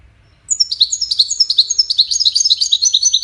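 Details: European goldfinch performing Wedani-style song for chicks to hear and copy. High, sweeping chirps speed into a continuous rapid twittering trill that carries on to the end.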